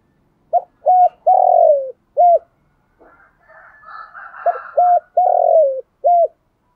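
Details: Caged decoy spotted dove giving its luring coo: short clipped notes and one longer falling coo, a brief break filled with soft higher chatter, then the same coo phrase repeated.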